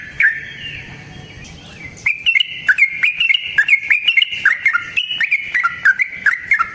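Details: Lure recording of a wild yellow-vented bulbul singing long and continuously: soft background sounds at first, then a lively burst of chattering whistled notes that rise and fall rapidly to the end.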